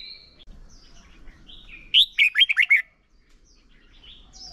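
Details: Decoy Red-whiskered bulbul for training contest song delivers a single brisk phrase of five or six slurred whistled notes mid-clip, with soft distant whistles before and after.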